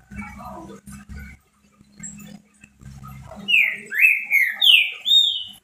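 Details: Pet green-winged saltator singing a lot: low rumbling noises at first, then four loud slurred whistled phrases rising and dropping in quick succession.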